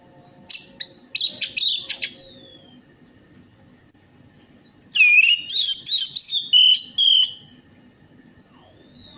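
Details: Orange-headed thrush song played as a lure to prompt silent birds to sing: bursts of rapid chirps, then loud warbled whistles wavering downward, with thin high descending whistles between phrases and a faint background hum.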